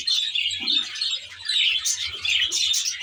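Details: Budgerigars in an aviary reserve, many birds chattering at once: a steady wash of high, scratchy chirps and warbles with brief louder bursts.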